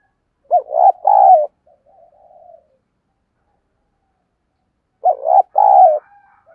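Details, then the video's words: Decoy dove pushing out its cooing to lure wild birds: two loud phrases of a clipped note and a long hollow coo, with soft murmurs between. "Chim Cu Mồi Thúc Gù Bài Bản Sung Chuẩn Kích Bổi"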